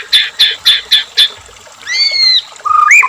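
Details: White-rumped shama song used as a lure to provoke captive shamas to sing: five quick bright repeated notes, then a pause and drawn-out rising and level whistles.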